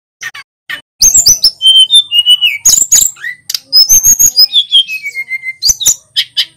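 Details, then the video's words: Singing male sulingan gunung, local to Pacitan, running through a rolling song packed with imitated phrases: scattered chirps, a long descending chain of clear whistles, sharp buzzy bursts and a high falling whistled run, with almost no pauses. "Burung SULGUN Jantan GACOR"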